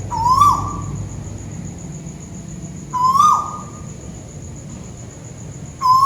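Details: Malaysian tuwu bird overhead gives three whistled calls roughly three seconds apart, each a quick upward slur into a steady tone that falls away, against a continuous high-pitched whine and soft low-frequency noise.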